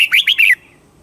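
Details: Red-whiskered bulbul phrase in southern master style, used to stir birds and teach chicks in Thailand: one short, loud run of three slurred whistled notes, rising then falling, over in half a second.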